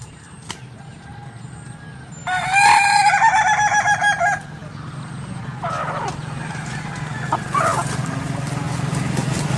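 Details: Ayam Ketawa rooster crows a two-second burst of fast, chattering syllables over a constant low rumble, followed by softer, faint calls later in the recording.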